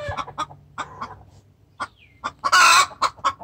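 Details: Hen giving a distress call to the rooster, irregular loud clucks broken by a harsh, noisy squawk burst, with a second bird nearby.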